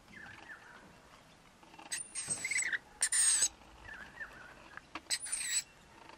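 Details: Wild rainbow lorikeet family, a pair with two young, feeding on powdered nectar at a front balcony: loud shrill screeching bursts in two clusters, with softer falling whistled notes from other birds behind.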